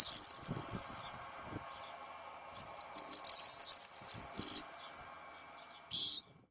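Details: Breeding-season corn bunting singing for its partner: short, very high tinkling bursts, a brief jangle at the start, then clipped fragments and a longer metallic rattle near the middle, separated by quiet stretches with faint rustling.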